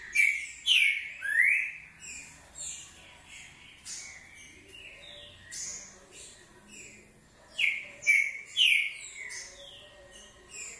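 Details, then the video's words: Short song of a green-winged saltator: two separate bursts of loud, ringing whistles that slide up and down, about seven seconds apart. Softer high-pitched chirping from other birds continues in between. "Trinca ferro canto curto"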